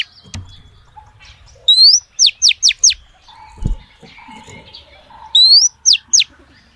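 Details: Oriental magpie-robin female calling males with a rising whistle followed by four steeply falling whistled notes, repeated after a pause, with a low knock and faint murmuring between.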